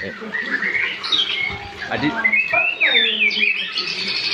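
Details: Varied practice song of a young white-rumped shama, still learning but singing freely: mixed chattering, rising and falling whistles and sharp upward sweeps in quick succession, over a faint low background hum.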